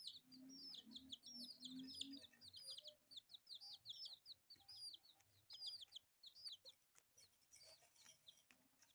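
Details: Four colourful pet chicks at play produce a stream of high, piercing peeps, each curving up and down, dense at first and then sparser, with soft low murmurs early on.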